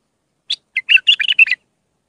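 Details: One quick Mandali-style phrase from a raw Iraqi bulbul singing to teach young birds: an opening chirp, then a rapid run of about seven bright, warbling notes lasting about a second.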